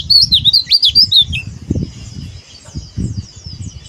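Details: Oriental white-eye giving a 'buka paruh' style song: a short burst of quick, high, sharply slurred chirps lasting about a second and a half, then only faint twittering over soft low knocking sounds.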